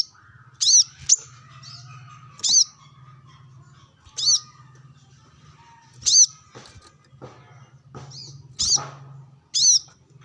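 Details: Brown-throated sunbird calling out to rivals while sunbathing among wild birds. Single bright, high chirps repeat roughly every two seconds over a low droning hum.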